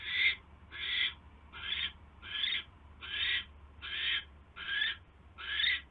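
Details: Owls at the nest as prey arrives, a mouse brought in on a January 2016 evening; eight rough, hissed screeches, each swelling and fading, repeated roughly every three-quarters of a second.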